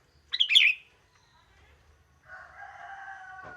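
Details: Young wild sooty-headed bulbul in steady, monotonous song: one quick, bright, bubbling phrase, followed by a long rooster crow in the background.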